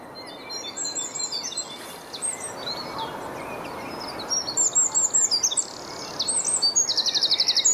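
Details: Eurasian wren song on 25 April 2015 in a botanical garden in Dortmund: high, rapid tumbling notes and twitters ending in a fast, dry rattling trill, over a steady hiss of background noise.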